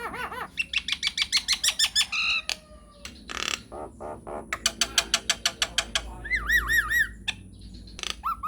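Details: Nias hill myna in lively, long rolling song used as a provoking lure to make other mynas answer: rapid series of sharp repeated notes, wavering looped whistles, harsh bursts and a later run of looping whistles.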